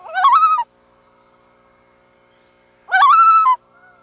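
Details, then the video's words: A loon gives two mournful, rich notes, each rising then holding steady for about half a second, about two and a half seconds apart, over quiet water. "Relax to loon calls"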